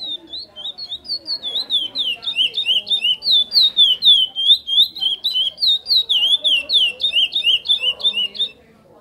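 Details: Captive chestnut-bellied seed finch singing in the praia mineirinho style: a long, steady series of bright whistled notes, looping and sliding, repeated several times a second for nine seconds, fading out at the end.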